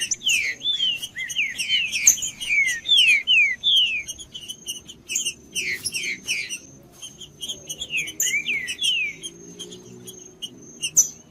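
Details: Green-winged saltator song used to stimulate a cold, quiet bird: repeated loud, slurred whistles sliding downward, delivered in quick runs with brief pauses, mixed with sharp high chirps and a faint constant high-pitched tone.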